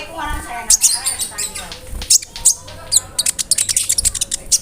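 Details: Konin bird singing a mimicry-rich tutoring song with cricket imitations; a murmured low start gives way to quick high chirps and dense, rapid twittering notes toward the end.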